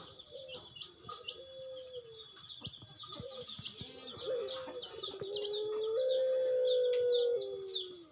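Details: Puter pelung dove calling: a few short, soft low coos, then one long, sustained, even coo lasting about two seconds that falls away at the end. Small birds chirp steadily in the background.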